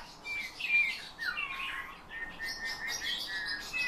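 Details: A captive Eurasian bullfinch trained to sing, imitating its owner's whistled phrases and also nightingale and thrush phrases, gives soft, fluting whistles, one sliding down, then a run of quick piping notes over a faint indoor hiss.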